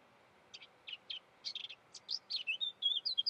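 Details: Eurasian blackcap: a few short, dry chips speed up into clear, fluty warbled notes that rise and fall in pitch. The phrase grows louder toward the end against faint background hiss.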